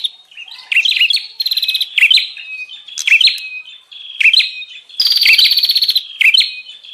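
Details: Bar-winged prinia, the 'prenjak ribut' lure call used to attract wild prinias: fast buzzy rattling bursts alternate with sharp chirps and short whistled notes, about one burst per second, with no other sounds.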